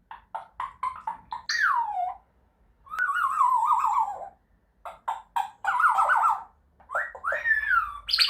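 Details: Grey parrot vocalising to others of its kind and marking territory: a run of short clipped notes, then wavering nasal whistles and gravelly, growl-like phrases in bursts separated by brief silences.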